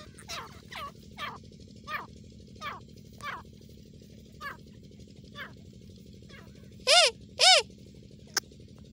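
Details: Female grey francolin calling in jungle in India during partridge hunting: a run of short hooked, downward-sliding notes roughly every half second, then two loud, rich notes near the end over a steady low hum.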